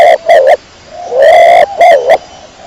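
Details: The tail of one kecor pigeon phrase, then a complete one: a long, slightly rising note followed by two short, bending notes.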